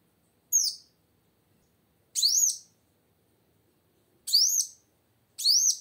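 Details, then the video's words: Four separate high, arched chirps from a lively female plain sunbird, each a brief rising-falling note spaced irregularly, meant to provoke males into song. "Suara Kolibri Wulung Betina Gacor Untuk Memancing Bunyi Kowul Jantan Macet"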